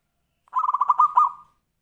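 A zebra dove gives a quick run of about ten soft, mellow cooing notes on one low pitch, lasting about a second, with no other sounds.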